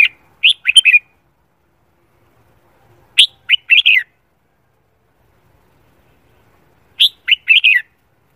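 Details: Red-whiskered bulbul singing its morning song during voice training for singing contests; a short, liquid, warbling phrase of four or five notes repeated three times, roughly every three and a half seconds, with silence between.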